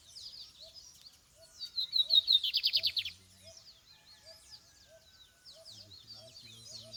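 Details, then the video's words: Lined seedeater singing in the field during a campeada outing: a buzzy phrase climbing into a rapid pulsed trill of about a dozen notes, with softer chirps and faint low murmurs around it. "Campeada de bigodinho"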